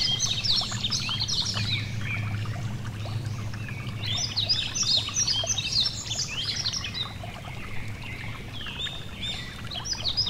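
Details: Yellow-throated bunting singing by a gentle stream, a run of bright, high chirping notes and brief trills delivered in loose clusters, set against continuous murmuring running water throughout.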